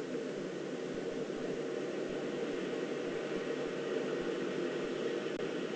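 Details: Continuous rushing broadband noise like wind or engine rumble, with no animal sound heard.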